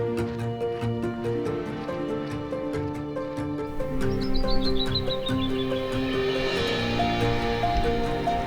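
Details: A Canyon Wren in Big Bend National Park, Texas, near the riverside: a cascade of clear whistled notes tumbling down the scale over about two seconds, partly covered by steady instrumental music.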